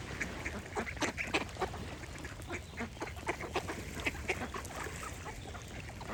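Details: Duck quacks in quick, irregular runs of short nasal bursts, several each second, over a low background hum with birds singing.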